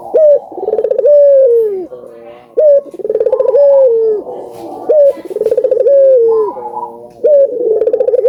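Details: Gacor cooing by collared doves, including albino birds, meant to get other doves calling: a rolling rattle leads into a drawn, dropping coo. The phrase comes roughly every two seconds, with other doves overlapping.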